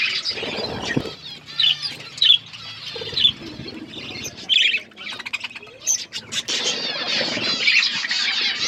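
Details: Budgies in a flock eating food, probably kept in an aviary: busy chattering with sharper chirps standing out every second or so, plus some low knocks and rustles.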